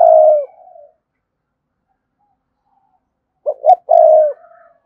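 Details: Spotted dove cooing to call rival wild doves, in the rapid-coo style: a phrase ends the opening, then after three seconds of quiet a short note, a rising note and a long drawn mellow coo.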